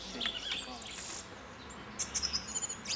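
Song Thrush singing bright, varied high phrases, a burst of sharp repeated notes near the end; a faint voice underneath.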